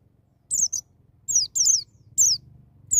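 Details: White-eye singing in the wild style known as ngalas, with sharp nembak notes, used to prompt young birds to sing: very high, thin, downslurred whistles in short bursts separated by pauses, over a faint low hum.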